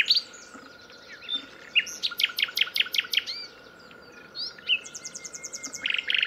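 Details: Singing nightingale, live: an opening note group, a string of seven crisp repeated strokes, a pause with soft calls, then a buzzy rapid trill closing the phrase.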